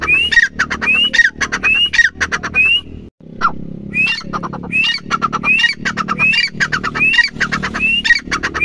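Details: Grey francolin (teetar) repeating shrill, rising whistled phrases mixed with harsh rattles at a brisk, steady tempo, pausing once near three seconds, then continuing above a low droning hum.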